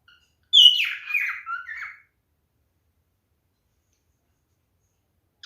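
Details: Male cockatiel calling during mating behaviour: a short burst of harsh, warbling chirps sliding downward over about one and a half seconds, then silence, recorded indoors.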